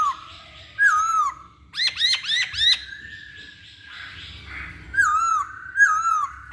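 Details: Lure song of a masked laughingthrush, used to set other birds singing: drooping whistled notes, then four rapid ringing bent notes, a drawn-out flat tone, and more falling whistles near the end.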